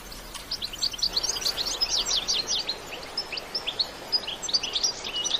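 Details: European goldfinch in spirited bitbita song, natural sound without effects: a stream of quick, high, tinkling twitters and short buzzy notes, steady over a light background hiss.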